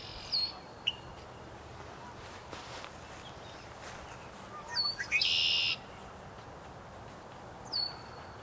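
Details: A lone red-winged blackbird hiding in a bush gives a few high, sharp downslurred whistles several seconds apart, plus one brief buzzy rasp, over a soft outdoor hiss.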